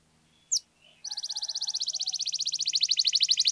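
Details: Canary song played to stir silent canaries into singing: a short high chirp, a pause, then a long fast trill of rapid notes repeated about three per second, growing louder, with faint low hum beneath.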